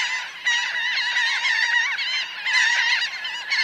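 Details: Massed Laughing gull calls, recorded close to a flock of about 1000 birds on the ground and flying: thick layers of wavering, nasal yelps that swell louder near the middle and again toward the end.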